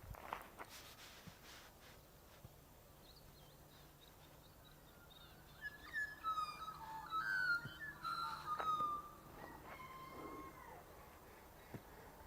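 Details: Australian magpie, one of two perched on a pole behind a shed in Australia on a morning, carols in rich, fluting whistles that glide and warble for several seconds after a quiet start, over a low steady hum.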